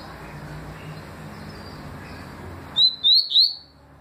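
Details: Papa-capim seedeater calling in 2020: three short, sharp, high whistled notes near the end, each slightly rising, after a stretch of broad background noise.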